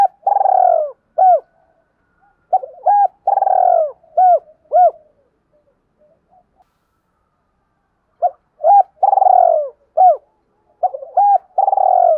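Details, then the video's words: Spotted dove giving a quick-rising "kích bổi" call to provoke rival males; repeated cooing phrases mixing brief rising notes with long falling coos, pausing several seconds midway before resuming, no other sounds. "Tiếng chim cu gáy kích bổi giọng hạp bổi"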